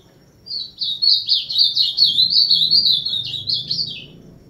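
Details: Azulão, the ultramarine grosbeak, delivering a 'máquina'-style song: a rapid string of bright, slurred whistled notes running about four seconds, ending in two sharp upward flicks, over soft low background rumble.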